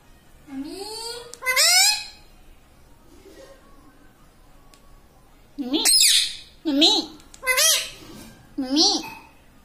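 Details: Talking pet ringneck parrot that says "mummy" and "radhe radhe"; two rising syllables, a pause of several seconds, then four short, sharp, squawky speech-like notes in a fast row.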